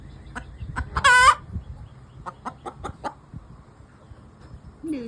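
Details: An Easter Egger hen calls as she does every time she lays an egg, here just after laying: a loud drawn-out squawk, then a run of sharp clucks about every third of a second, with a faint voice at the end.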